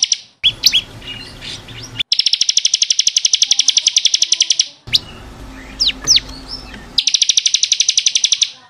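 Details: Bar-winged prinia (ciblek kristal) singing for caged-bird training: long, rapid high trills alternate with short slurred whistles and sweeping notes.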